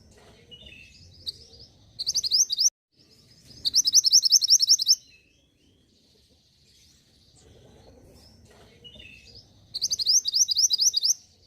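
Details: Mantenan gunung singing, a sound used to spur caged birds into song: three bursts of quick, sharp, high repeated notes, each about one second long, separated by quieter high twitters and brief silence.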